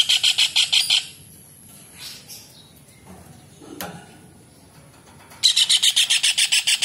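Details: Kingfisher recorded as tutor sound for songbirds. A fast burst of harsh, repeated notes is followed by a near-silent stretch with faint rustles and a click, then another loud rattling series of evenly spaced notes.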